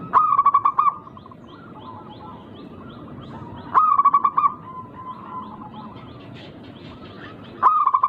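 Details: Local zebra dove with an unusual, rare song rhythm meant to make rivals answer; three phrases of rapid, evenly spaced cooing notes roughly every three to four seconds, soft twittering between.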